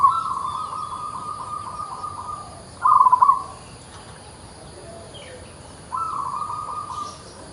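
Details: The song of a local zebra dove. A purring trill fades out, then a burst of quick, stuttered low notes is followed by a quiet pause. Another long level coo starts near the end, over a faint constant hum.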